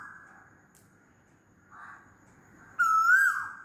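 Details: An Asian koel calls loudly near the end: one bright, upward-sliding whistle that arrives suddenly after a quiet stretch with faint softer sounds.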